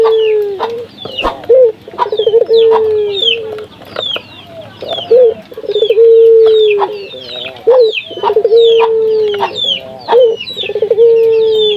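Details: Puter dove, local Indonesian bird, repeating its coo to spur other doves into calling: short note, rapid trill-like stutter and a long held low tone, several times in sequence, with constant shrill chirping of other birds behind.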